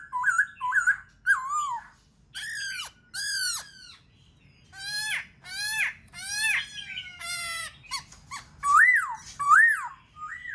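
Black-throated laughingthrush giving loud, rich whistled phrases of rising and falling slurred notes mixed with harsher, ringing bursts in irregular bouts about a second apart.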